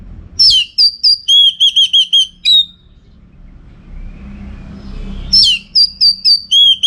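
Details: Training song of an Orange-headed thrush for contests, with two bursts of fast repeated whistled notes and sweeping high phrases, separated by a quieter gap with faint rumbling like a passing vehicle.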